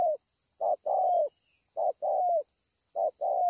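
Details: Spotted dove at Ngọc Hồi, 25 March 2020, giving its coo: paired low notes, a short hoot followed by a longer, slightly falling drawn-out coo, repeated three times over a faint constant high hiss.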